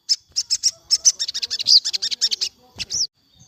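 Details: Sogon in the afternoon, aimed at captive birds off form: a choppy burst of quick, high, uneven chattering notes for two and a half seconds, then a brief gap and one final high slurred note.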